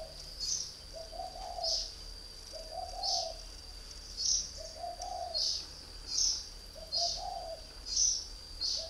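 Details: Mellow, slightly burry coos from a caged northern Vietnamese spotted dove, three years a decoy, in four spaced phrases, while a high chirping bird calls repeatedly and a thin steady tone persists.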